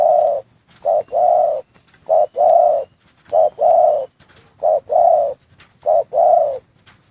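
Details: Breeding-cage spotted dove repeating deep, soft two-part coos, a quick note then a sustained one, six times in a regular rhythm, with thin high bird chirps faintly in the background.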